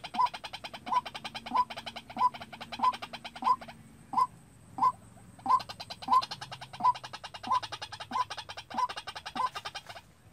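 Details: White-breasted waterhen kept as a caged decoy for trapping calls in a long steady run of about sixteen short notes, roughly one and a half per second, over a rapid buzzing rattle and low hum.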